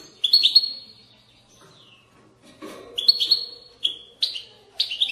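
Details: European goldfinch song used to stimulate birds to sing and to teach young goldfinches: bright twittering phrases and trills near the top of the range, in bursts separated by short pauses, with faint lower chatter.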